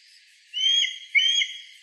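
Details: Mountain hawk-eagle recorded 27 September 2017 in Shirakata, Yamagata, Japan, gives two high, clear whistled notes, each about half a second long, one right after the other, against quiet background hiss.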